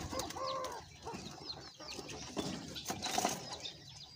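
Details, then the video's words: A Zenaida dove sings a soft, low, hollow coo that rises briefly and then fades, with a fainter coo later, over rustling, scattered high chirps from other birds, and general noise. "tortola habanera cantando"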